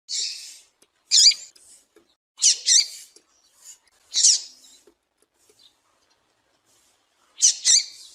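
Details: Female double-collared seedeater call, meant to draw males: shrill high chirps and squeaks, some paired, in irregular bursts about every one to two seconds, with a quiet gap before a final double note.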